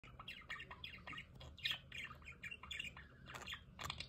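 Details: Budgerigars in an aviary with a solar water fountain, chattering in a soft flock warble of short buzzy chirps and squeaks, irregular and fairly quiet, with a low steady hum underneath.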